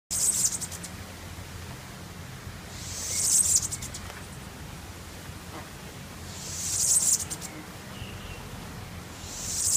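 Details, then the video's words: On Curaçao in 2016, a small yellow bird singing in a tree gives very high, thin, buzzy bursts, each under a second, repeated about every three seconds over a soft low background rumble. "Yellow Bird Singing in a Tree"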